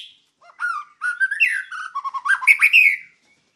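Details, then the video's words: Continuous varied song of a white-rumped shama: rapid chattering and whistled notes rising and falling in pitch, ending in loud slurred whistles; master recording meant to teach other birds. "Masteran Murai Batu Gacor WIKPLONG"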